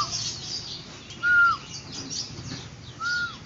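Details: Yellow-eared spiderhunter calling: two clear, level whistled notes that drop at the end, spaced about two seconds apart, over a constant hiss of background noise and faint higher twittering.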